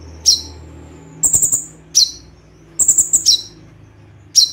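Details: Kolibri ninja tembakan combination: sharp downward-sweeping chips interleaved with quick high triple and quadruple stuttered notes, over a steady low background hum.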